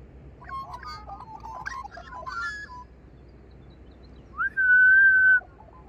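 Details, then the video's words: A magpie sings a run of warbled, fluting notes that rise and fall quickly, followed after a pause by one long, steady, loud whistle. "Singing Magpies"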